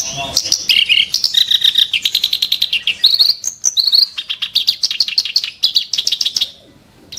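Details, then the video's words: Ashy tailorbird delivering sharp, rough song: a long, dense stream of rapid high chirps and buzzy trills with varied pitch, fading to quiet near the end. "burung KERAK BASI tembakan tajam & kasar"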